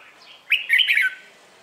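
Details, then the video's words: Morning competition song of a Red-whiskered bulbul, meant to coax other birds into singing: a single short, lively phrase of fast, slurred whistles that rise then drop, with a faint hiss behind it. "LUYỆN CHÀO MÀO HÓT ĐẤU/ HƠN 12 P CHÀO MÀO HÓT BUỔI SÁNG KÍCH BỔI RA GIỌNG HÓT THEO THUẦN CHIM NHANH"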